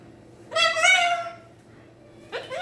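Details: Pet cockatoo calling indoors after its owner leaves the room: a loud, harmonic, wailing call lasting about a second, then the start of a second rising screech.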